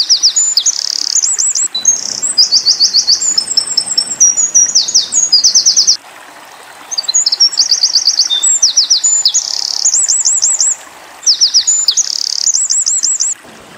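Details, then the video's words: Eurasian wren song in the 'tembakan' burst style for tutoring white-eyes: three forceful strings of shrill, rapid trills and tumbling notes, each several seconds long, with brief silent gaps between them. "Tembakan Winter Koning / Wren"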